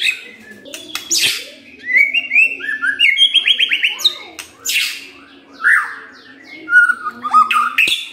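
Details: White-rumped shama singing to provoke a rival into showing its repertoire: varied whistled phrases, a fast stuttering series of descending notes, harsh raspy bursts and rising slurs, over a soft low background murmur.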